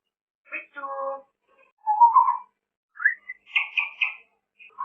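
An African grey parrot chatters in speech-like phrases, then gives a few rising whistles and clipped, buzzy syllables over about five seconds in a quiet room.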